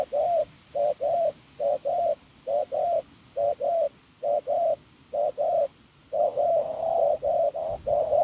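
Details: Hoarse, strong cooing from a wild-caught field spotted dove, evenly spaced couplets of short low hoots, then a run of joined coos near the end, with little else heard.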